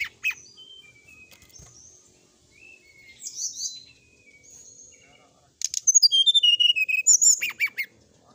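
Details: Brown-chested jungle flycatcher: scattered soft high whistles and twitters, then a loud rapid sequence of about twenty clear sliding and chattering notes near the end.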